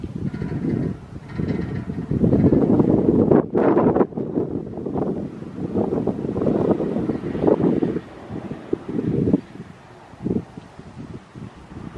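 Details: Only wind buffeting the microphone and a low rumble like a passing vehicle are heard, with no clear bird call.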